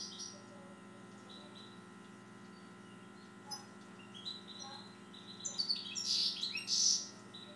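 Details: Siberian goldfinch kept by its owner; mostly quiet start with a few soft notes, then a loud burst of high, fast twittering and buzzy trills near the end, over a constant low electrical hum.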